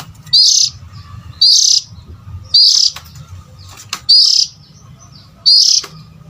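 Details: Oriental magpie-robin call used to lure adult birds: five short, harsh, buzzy notes, each a rasping burst repeated about every 1.2 seconds, over a low steady hum.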